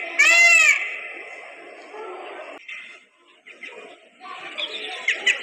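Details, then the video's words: A dancing peacock gives one loud, nasal, wailing scream that arches up and falls away, followed by quieter scuffling and faint chatter. "peacock sounds with dance"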